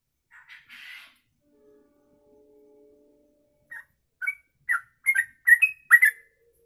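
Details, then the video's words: Sooty-headed bulbul (trucuk) in long 'kongslet ropelan' song used for tutoring: a few rough chattery notes and a faint low tone, then from midway a run of sharp whistled slurred notes growing louder. "Trucuk Kongslet Ropelan Panjang, bisa buat masteran"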